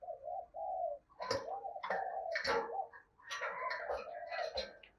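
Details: Decoy spotted dove with a 'thổ'-style voice, cooing to lure wild doves: soft low coos, then hoarse phrases broken by sharp clattering knocks and higher rustling noise.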